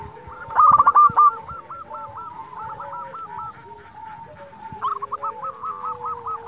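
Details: Local zebra doves singing to goad rivals into answering: a loud rattle of tonal notes opens, followed by steady runs of softer hooked coos and another rising series near the end.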